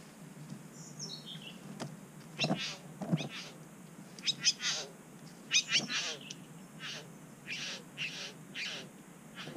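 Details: Satin bowerbirds at a bower in NSW, Australia, recorded by an action camera on the ground as a third bird arrives. Short harsh buzzy bursts come in irregular clusters, with a faint descending whistled series near the start.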